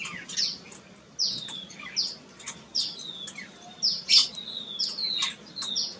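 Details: Jungle babbler near a nest in an ashok tree, adults behaving aggressively after fledglings left the nest: repeated harsh, descending squeaky calls roughly every second, some overlapping, over low background noise.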